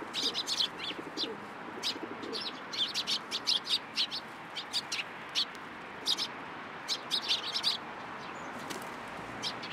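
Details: Several sparrows coming onto a hand to be fed at a Tenmangu shrine on 14 April 2023, giving short, sharp chirps in quick clustered bursts through the clip over a soft, steady background hum.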